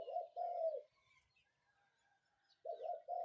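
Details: Spotted dove calling in the morning: low, soft cooing phrases, the first a pair of rounded notes, then a pause before the next cooing phrase begins, with faint high chirps from other birds in the background.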